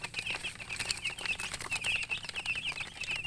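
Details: Chicken chicks chirping, many at once: a steady stream of high, short peeps, often rising or falling, packed closely over a crackle of clicks and rustling.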